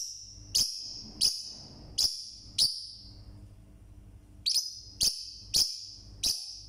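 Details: A single caged Forpus parrotlet calling very loudly, a series of sharp high chirps in two bursts, about eight calls with a pause in the middle, over a faint low hum.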